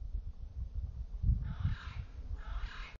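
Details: In the early morning a California scrub jay calls to other birds, giving two rough, scratchy rasps in quick succession against a background of low wind noise.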